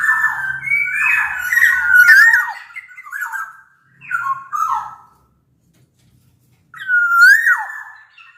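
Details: Large Sumbawa black-naped oriole, sung as a training lure for other orioles: flowing fluted whistles mixed with harsher buzzy notes, three phrases with a quiet pause before the last rising slur.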